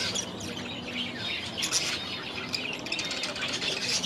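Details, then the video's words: Several budgerigars kept in an aviary keep up continuous twittering, with scratchy warbled notes and chirps layered over one another, plus brief wing flutters. "6 Hours of Budgies in their Aviary"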